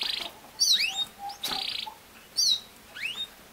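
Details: Canary song used to train a young male to sing, heard as brief phrases: a buzzy roll, sharp rising and falling whistled sweeps, and a low flat whistle note, separated by short pauses.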